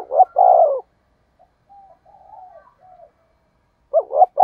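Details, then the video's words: Spotted dove kept as a decoy, calling to attract wild doves: one full low phrase of a doubled hoot and long falling coo, then soft muttered coos, ending as another phrase begins. "Tiếng cu gáy thúc bổi"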